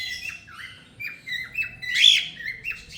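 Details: Pet ringneck parrot in India chattering in speech-like bursts: a rapid series of short, high, squawky syllables with repeated rising and falling inflections, then a louder harsh squawk in the middle. Low indoor hum is heard underneath.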